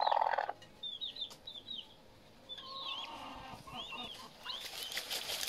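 Himalayan monal chick giving thin, high peeping notes, some in quick pairs, others rising and falling, scattered over a few seconds. A brief tonal hum opens the clip, with soft background hiss.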